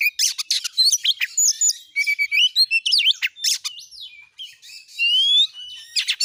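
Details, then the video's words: Oriental magpie-robin singing 'gacor nembak' as a lure for other magpie-robins; varied chips and scratchy notes, a steep falling slur, then a long rising whistle among crisp calls. "Kacer jenis manapun bakalan langsung emosi gacor dengan pancingan burung Kacer gacor nembak ini"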